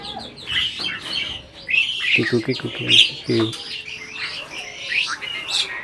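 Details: Breeding Asian pied starling said to be making talk: scratchy chattering notes around a short run of deep, voice-like harmonic syllables, then more scattered squawks.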